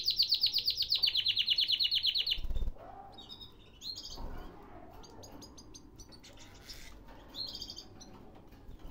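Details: Caged canary in Baghdad, Iraq, opening with a loud, rapid, even trill of repeated high notes for over two seconds, followed by quieter scattered chirps and short buzzy bursts over soft background noise.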